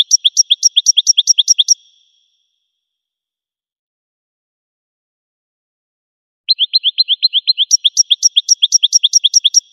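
Goldfinch song: bright, rapid twittering runs of high, tinkling repeated notes, two bursts separated by a few seconds of silence.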